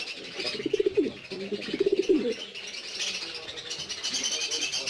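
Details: Indoor caged black Shiraji pigeons: two quick bursts of pulsed, throaty cooing about a second apart, then quieter background murmuring and a faint hiss.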